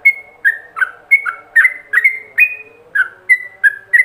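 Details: Ropelan-style song from a yellow-vented bulbul, a master lure for training other bulbuls: about a dozen quick whistled notes in four seconds, some long and level, others dipping, over a quiet low hum.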